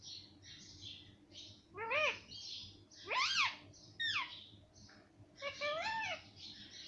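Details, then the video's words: Pet parrot that says mummy and papa: soft breathy syllables, then four louder stacked harmonic calls with steep rises and falls spaced about a second apart, and a final arched word. "mittu mummy bolne wala parrot - मम्मी पापा बोलने वाला तोता - talking parrot"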